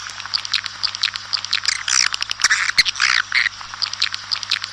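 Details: Outdoor swiftlet calls meant to summon the flock, a busy chatter of quick chirps and rasping trills from several birds, thickest in the middle of the clip.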